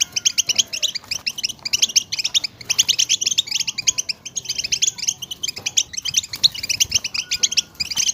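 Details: European goldfinches chattering together, a recording for exciting goldfinches into song; thick stream of fast, high, liquid twitters in rolling bursts, a faint thin whistle now and then.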